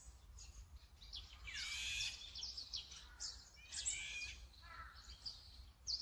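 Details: Azure-winged magpie (Cyanopica cyanus), recorded in Korea or Japan, giving harsh, raspy calls in irregular bursts, some drawn-out and buzzy, others short chattering notes, with low background rumble.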